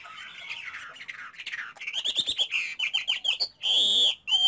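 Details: Chinese hwamei song from a caged bird: soft wavering warble building into a fast series of repeated sharp notes, then a long loud sustained whistled note.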